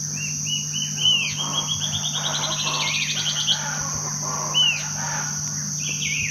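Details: Band-tailed Antbird at Rio Claro, Poconé, Mato Grosso, Brazil, May 2009, gives a fast, rising then accelerating series of high chirps with short downslurred notes before and after, over a steady hum and insect whine.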